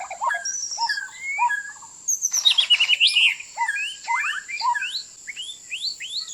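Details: Decoy song of a white-rumped shama used to lure birds into traps: varied rich whistles and upslurred notes with a fast warbled burst midway, against a constant thin high tone.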